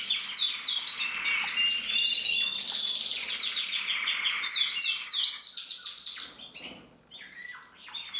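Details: Mosaic canaries from a breeder's aviary, 2024, sing overlapping rapid trills and fast downslurred chips, the chorus thinning into scattered chirps after about six seconds.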